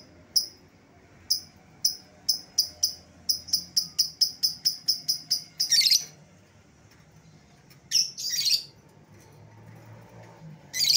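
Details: Lovebird lure call for recalling an escaped lovebird: shrill high chirps, slowly at first, then speeding into a regular rapid series, followed by harsh grating screeches.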